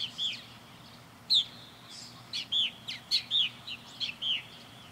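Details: Purple martins circling a backyard birdhouse, calling in flight: a run of short, curved, chirping notes, about a dozen over five seconds, bright and slightly gurgling, some overlapping as several birds call.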